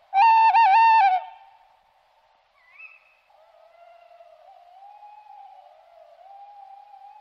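A Tawny owl gives a loud, wavering hoo, then after a pause a long, soft, quavering hoot that trails on at a steady pitch.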